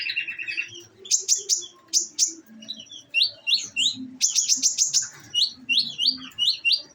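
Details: Captive olive-backed sunbird kept on nectar, giving bright, high chirps grouped in fast volleys of four to six sharp notes, broken by short downslurred tweets.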